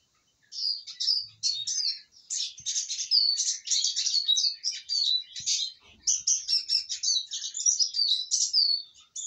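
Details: A well-fed, contented Eurasian siskin pours out a rapid, high twittering song of chirps, slurred whistles and brief trills in two long runs, separated by a short pause, with a few soft knocks in the background.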